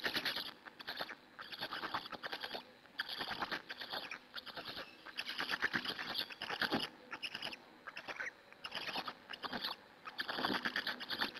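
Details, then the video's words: Black stork chicks at a nest in Hungary, fed by an adult on 2 May 2017 at 14:56, nest camera; harsh rasping, scratchy bursts in uneven bouts with short pauses, broad hissy texture. "Hungarian Black Stork~Tobias fed the storklets"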